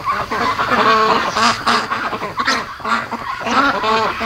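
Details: Hand-raised ducks, 73 days into rearing, calling in the middle of the night at 3 AM: strong, harmonic, arched quacks in clusters of two or three, overlapping with softer grumbles from other birds.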